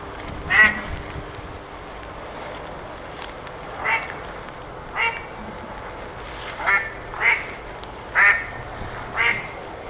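A duck gives about seven harsh, nasal quacks, singly and in short pairs at uneven intervals, over a faint steady background hiss.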